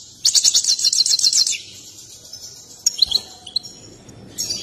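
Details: Excited European goldfinch kept by breeders, singing while dancing: a fast burst of bright, tinkling trilled notes for over a second, then a pause and a few sharper twittered phrases.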